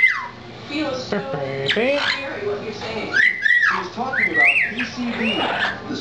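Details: Captive lilac-crowned amazon at home with its owners whistles in bright, wavering tones, with a rising and falling run in the second half. Human voices and chatter carry through much of the recording.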